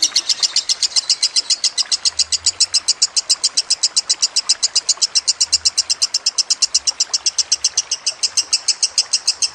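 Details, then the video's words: Lovebird in a prolonged, high, rattling chatter meant for training other songbirds, mixed with trickling water: fast metallic pulses, about four per second, sustained without pause for nearly ten seconds. "Masteran Lovebird Kusumo + Gemercik Air"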